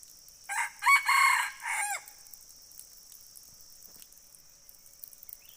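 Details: Single crow from a red junglefowl: a brief first syllable, then two loud raspy notes and a falling, fading last note, followed by several seconds of quiet broken only by a constant high-pitched background hiss.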